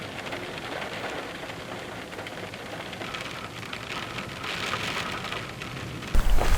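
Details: Steady heavy rain hisses across the whole recording with low thunder rumbling underneath, ending in a sudden louder burst.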